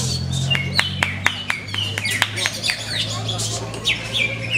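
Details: Greater green leafbird with many contest achievements singing a busy jumble of sharp chirps, short rising whistles and quick downward slurs, over a steady low electrical hum.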